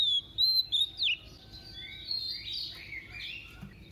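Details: Female White-rumped shama decoy singing in double voice to excite males: loud clear whistles and a sharp downward slur open the phrase, then quieter rambling warbled notes follow.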